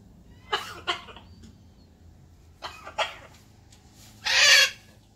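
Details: Pet blue-and-gold macaw outdoors in the morning alongside a red-tailed black cockatoo; short harsh raspy squawks at about half and one second, two more near three seconds, then one louder, longer grating screech near the end.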